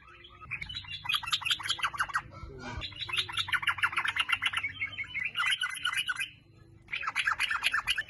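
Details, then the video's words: Sooty-headed bulbul song played as a lure to prompt singing: dense, rapid chattering runs of bright notes in long bursts broken by short pauses, over a low background rumble. "TRUCUK GACOR - TRUCUKAN FIGHTER - SUARANYA BIKIN SYAHDU - PANCINGAN TRUCUK AGAR BUNYI"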